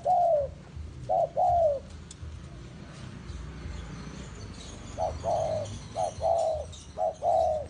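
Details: A spotted dove kept as a bait bird gives soft, low cooing phrases, a short note then a longer falling coo, repeated in two bursts separated by a quiet pause.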